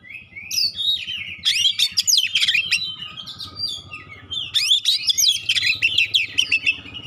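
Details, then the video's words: Oriental magpie-robin delivering sharp 'tembakan' shots and clear phrases to make other magpie-robins respond; two long runs of fast, high, varied chirps and whistles over a steady low hum. "suara tembakan tajam juga suara jernih bikin kacer lain langsung respon ngobra"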